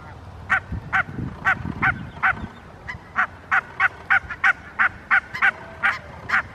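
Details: Barnacle geese at Helsinki, Finland, September 2022, one resting and preening on a gravel path with others calling behind: short, sharp yapping barks about three a second in a steady chatter, low rustling early on.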